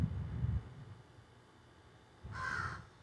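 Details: Crows in trees behind a garden, cell phone recording: low rumbling noise, then a single loud harsh caw near the end.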